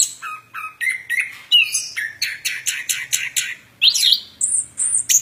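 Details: Plontang bird singing vigorously: low chipped notes that climb into a chattering run of high chirps, then sharp sweeping whistles and long piercing notes, with a faint low hum behind.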